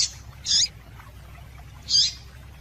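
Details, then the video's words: A female yellow-bellied seedeater gives two thin, sharp high chirps about one and a half seconds apart, a call used to get males singing, over a quiet low hum. "Melhor Piado de Fêmea de Papa capim Para Esquentar Papa capim"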